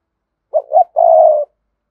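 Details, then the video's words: A single coo from a spotted dove kept as a decoy for wild doves: two short, rising hooting notes, then a sustained, buzzy coo about half a second long. "Chim cu gáy Cườm Sa thúc gù gáy gọi đủ bài. chim cu gáy kích bổi nhanh nổi"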